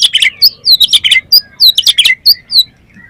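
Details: Oriental magpie-robin (kacer) lure song: quick series of loud high whistles and sharp chips, several per second, trailing off into quiet at the end.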